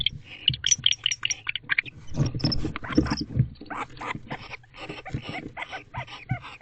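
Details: Wild bonded barn owl pair in a nest box at night, 10:59 pm on 19 October 2024, after mating and during affectionate behaviour: harsh, breathy hissing and rasping bursts, irregular and overlapping, with scraping and rustling.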